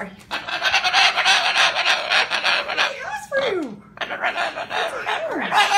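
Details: A bird showing disapproval of a cardboard house with strange noises: harsh, buzzy, rapidly repeated rasping notes, broken by two falling whistled glides, the first after a short pause.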